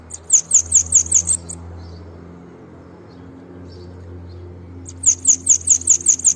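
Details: Bananaquit singing: two bursts of about eight very high, sharp, evenly spaced notes, one at the start and one at the end, separated by a quiet pause with faint low hum.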